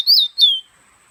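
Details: Fire red pet bird from Guyana held in the hand, giving two short loud slurred whistles, the first rising and the second falling. They are followed by silence.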